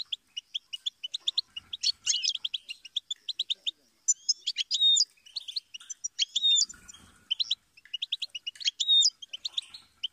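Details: Goldfinch song: rapid twittering, tinkling phrases of short high notes with buzzy trills and clear whistled slurs, delivered almost continuously with brief pauses, sounding lively and varied.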